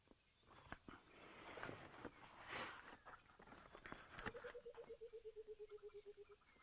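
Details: Burchell's coucal, also called the Rainbird and said to call a lot in humid weather, gives a rapid bubbling run of about sixteen low hooting notes, like water glugging from a bottle, after several seconds of knocking and handling noise, heard on a birding drive.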